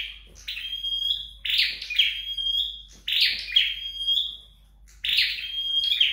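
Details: Home-kept flowerpecker in training, singing four loud phrases: scratchy, buzzing onsets sliding into a drawn-out, steady high whistle, each lasting around a second.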